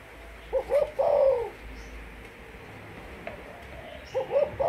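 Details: Malaysian spotted dove kept as a decoy bird, giving a hollow coo phrase of short notes and a longer wavering coo, then a pause and the start of another phrase.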